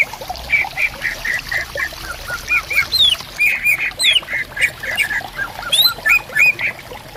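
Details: Greater green leafbirds answering each other in bamboo forest at a riverside with trickling water: busy chattering phrases of squeaky notes broken by high, sharply rising whistled sweeps.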